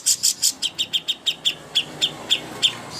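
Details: Greater green leafbird (cucak hijau) master song, used to train birds before contests: a fast series of bright, high chirped notes, about four to five per second, sharp and repeated with a slight pause midway.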